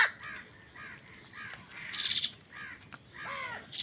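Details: Quiet, hoarse caws repeat about every half second as crows squabble over food. A brief high, thin note sounds midway, and a stronger caw closes the series.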